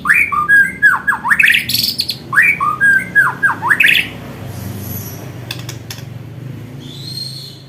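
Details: White-rumped shama in fighting style, delivering parrot-like srindit phrases: two bursts of quick, sharply dipping and rising whistled notes, each under two seconds, then near quiet with a few faint high ticks.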